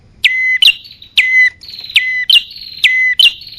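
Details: Lure sound of bar-winged prinia, used to draw in both males and females: five paired notes, a steep downslurred whistle held briefly and a shrill higher chirp, repeating steadily at just over one per second.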